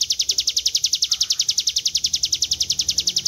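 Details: Hill Prinia (ciblek gunung) training song in the long 'ngebren' style: quick, bright, pulsing high notes delivered in a steady unbroken stream across the whole stretch, little else audible.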